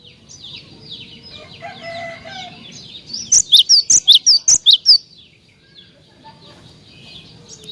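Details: Prolific cinereous tit song used to stir other tits to sing: one burst of about nine sharp, piercing, high notes in quick even succession, framed by quieter twittering from other birds.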